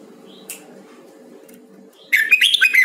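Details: During voice training, a Huế red-whiskered bulbul bursts into a loud, lively run of sharp chirps and twisting whistled notes in the final second, after a faint short note and near silence over a low hum.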